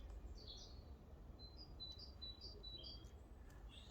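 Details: Great tit song in a British back garden: faint, high two-note "teacher, teacher" phrases see-sawing between pitches like a rusty squeaky gate hinge, repeated several times over a steady low background rumble.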